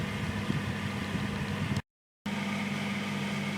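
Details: Steady machine hum with a strong low drone and a brief gap of silence midway; no animal calls are heard.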